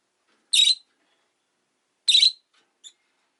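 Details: Two rasping, noisy calls from a rosy-faced lovebird about one and a half seconds apart, followed by a faint clipped note, on a quiet, relaxed afternoon.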